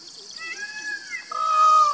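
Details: Indian peafowl (Pavo cristatus) calling: a nasal, wailing cry in two parts, first a fainter drawn-out note sagging slightly in pitch, then a louder, steady, strongly harmonic note that swells toward the end; light background hiss.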